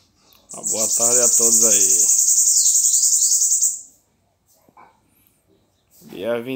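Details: Bananaquit singing in the papa-légua style, recorded 21 September 2019 and called a distinctive bird from Natal; a loud, very high, dense buzzy trill held about three seconds, with a man's speech over its start and again near the end.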